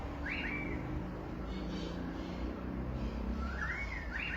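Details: Wild birds in Australia chirping: two short bright upward-then-level whistled chirps, one near the start and one near the end, over a constant low rumble like traffic.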